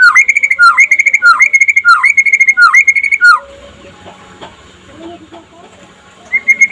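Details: White-rumped shama trotol song, played in daytime as a master for other shamas: five quick phrases of bright repeated whistles ending in a downward hook, then near silence with faint background noise before the song resumes.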